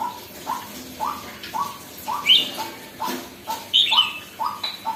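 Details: Red-whiskered bulbul beginning to become lively; upslurred whistled notes repeat every half second or so, with occasional higher chirpy bursts and soft clicks in between.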